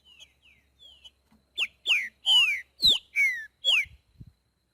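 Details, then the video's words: Wild green-winged saltator giving its boiadeiro song: a few soft whistles lead into six strong, slurred notes that sweep downward, with a quick upward note between some, followed by low knocking sounds. "TRINCA FERRO BOIADEIRO CANTANDO NA NATUREZA"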